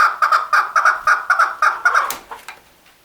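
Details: Male chukar giving a rapid run of about a dozen loud, clucking chuck notes, evenly spaced, then trailing off into a couple of softer notes and silence.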